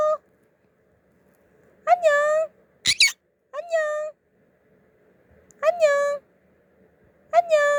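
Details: A 14-month-old male conure repeats short, nasal spoken greetings, "annyeong" and "annyeonghaseyo" (Korean for hi and how are you), each about half a second, spaced a few seconds apart, plus one sharp squawk.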